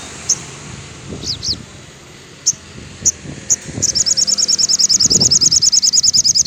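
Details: Afternoon song of a sogon, used to train captive birds: scattered thin high notes and paired slurs, then a sustained fast trill of very high, evenly repeated chips, with faint low rumbling.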